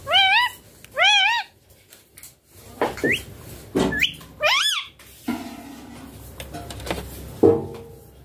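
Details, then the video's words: Pet young green Indian ringneck parakeet in cold winter weather, said to be talking: repeated wavering harmonic notes, short rising squeaks and clicks, then a harsher burst, indoors with some background noise. "Ringneck green baby parrot talking in winter too much cold weather"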